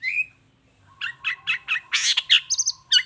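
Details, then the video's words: Long-tailed shrike singing as a lure to draw replies from other shrikes: a rising whistle, a pause, then a run of five even chirps, a harsh rasping burst and high thin notes. "Suara Cendet Gacor Toet toet"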